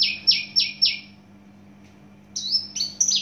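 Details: Javan bush lark of Java origin, prized for volume and speed, gives three loud, sweeping, buzzy notes, pauses, then breaks into twisting high whistled phrases; a faint low hum runs underneath.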